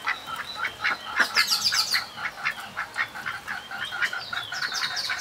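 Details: Juvenile mallard ducks calling continuously, a busy chorus of rapid raspy quacks and squeaky higher notes, several birds overlapping throughout.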